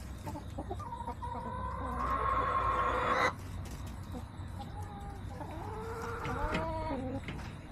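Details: Hens in a backyard flock, recorded September 21, 2024, giving a loud sustained squawking cackle that breaks off abruptly, followed by softer wavering clucks and a falling whine over faint low hum.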